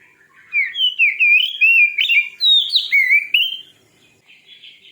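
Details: Oriental magpie-robin singing a fierce, provoking song meant to agitate other magpie-robins: a continuous run of loud, clear whistled slurs rising and falling in quick succession, fading to soft chatter at the end.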